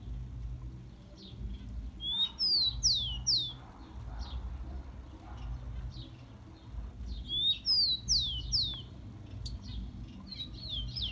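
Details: Captive-bird warm-up song of the rufous-collared sparrow: two phrases of high, clear whistles, each a rising note followed by a few steep falling slurs, roughly six seconds apart, with low background rumble throughout.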